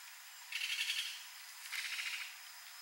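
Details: A Muscovy duck (Cairina moschata) from a wild flock at a lagoon gives two breathy, rattling hisses, each under a second long and about a second apart, over a faint steady background hiss.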